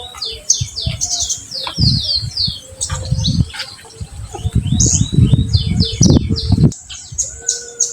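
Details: Olive-backed sunbird song in 'tembakan' style, played to stir untrained birds: repeated high downslurred chirps in fast series, partly masked by loud low thumping and rustling noise.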